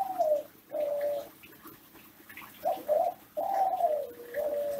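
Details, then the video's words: Kelantan-type ringneck dove (derkuku) from an Indonesian breeder, classic style master song for prompting captive doves to sing: a series of mellow, drawn-out coos, each gliding slightly downward, with short pauses between phrases and a faint room background. "Masteran Suara Gacoran Derkuku Tekukur Kelantan Klasik"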